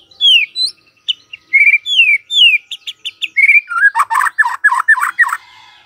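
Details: Morning lure song of a white-rumped shama meant to set silent birds singing: quick, high, downward-slurred whistles in a rapid run, then a burst of harsh, buzzy rasping notes repeated about six times.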